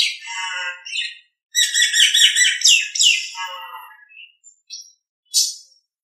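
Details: Nias hill myna voice for training other birds: a drawn-out buzzy whistle, then a loud cluster of rich, rattling whistled notes, tailing off into a few soft short calls and a sharp squawk.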